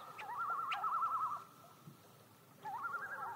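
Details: Common loon tremolo: a rapid, evenly quavering trill lasting about a second, a pause of near silence, then a second wavering phrase that starts low and climbs.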